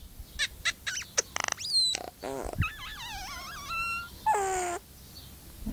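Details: Pet myna kept with a little baby boy, mimicking a crying human baby: a rapid mix of sharp squeaks, whistled rising and falling notes, clicks, and a drawn-out falling wail near the end.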